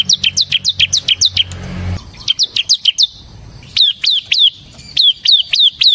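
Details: Bar-winged prinia, ciblek semi type, singing nonstop to lure and tutor cage birds: quick series of shrill downslurred chirps, briefly broken by a low rumbling noise, then resuming in spaced, bright notes.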